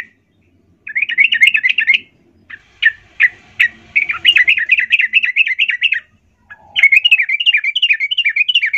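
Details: Yellow-vented bulbul sings three bursts of bubbly, chattering notes, fast and mid-pitched, separated by short pauses; a lively song used as a lure to prompt other bulbuls to sing.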